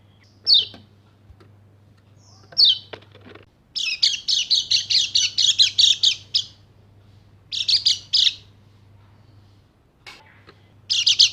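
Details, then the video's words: Bali Dakun white-eye used as a lure to excite non-singing birds: two lone high downslurred whistles, then a quick run of sharp repeated chirps, followed by shorter bursts of the same rapid high notes. "PANCINGAN PLECI MACET BUNYI JADI EMOSI DAN GACOR"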